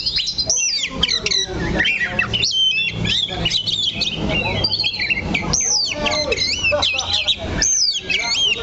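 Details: Oriental magpie-robin kept in a cage and staying on one perch spot, giving a long energetic song of jumbled whistled loops, sharp chips and trills with hardly a break, background noise below.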